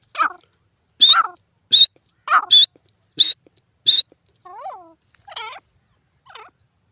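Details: Grey francolin, known locally as desi teetar, giving loud harsh notes in a rapid irregular series. Each note is strident and rising, about one per second. Softer, lower, nasal notes trail off at the end over a quiet background.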